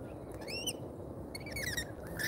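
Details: Lorikeets at an Australian feeder, seen on a live camera: short bright chirps that bend upward, given in small clusters, over a low hum of background noise.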